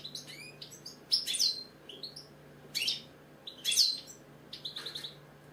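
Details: British goldfinch, a pet bird, in clear song: loud bursts of bright, liquid twittering alternate with short upslurred notes, phrases coming roughly every second over a faint low hum.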